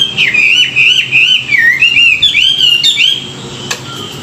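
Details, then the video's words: Chinese hwamei singing in the morning for song training: one continuous, rich warbling whistle that wavers up and down without a break, then stops and leaves quiet background. "luyện giọng họa mi họa mi hót buổi sáng, kích bổi quá đỉnh"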